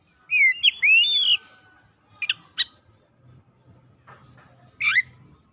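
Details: Singing Oriental magpie-robin used to lure silent birds into song: an opening burst of loud looping whistles, then two crisp chips and one rough rising note, separated by near silence and low murmur.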